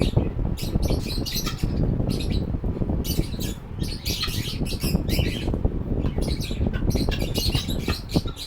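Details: Lovebirds at a shelter for sick birds, chirping: rapid clusters of shrill, high chirps in short bursts with brief gaps, over a steady low rumble of room noise.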